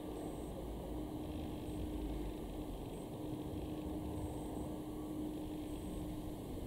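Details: Steady low engine or fan hum fills the background, with a constant droning tone and brief, flat, high electronic beeps repeating at irregular intervals; no animal voice stands out.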